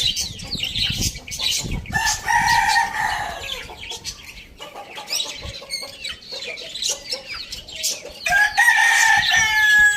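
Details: Morning rooster crow heard twice, each a sustained, slightly wavering call of over a second, separated by a stretch of busy high chirping from smaller birds that continues behind both crows.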